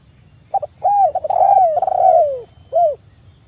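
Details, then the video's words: Spotted dove in full song, used as a lure to draw other doves into calling: a short cooing note, then a long run of arched, slightly descending coos, and a final soft coo, all over a steady high electronic hum. "TEKUKUR GACOR suara merdu"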